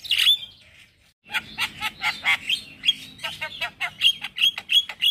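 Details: A male Black-winged starling sings in the morning, a lure and tutor song for starlings: one harsh burst, a brief pause, then a steady run of clicks and short whistled notes.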